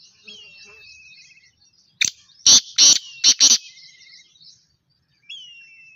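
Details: Black francolin call: a loud, harsh series of four or five grating, broadband bursts packed into about one and a half seconds, with faint thin whistles of small birds before and after.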